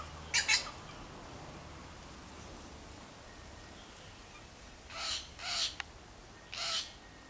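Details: Backyard wattlebirds harassing a Kookaburra near their nest, two metres off: an early pair of harsh, explosive squawks, a long quiet gap, then three grating rasps in quick succession.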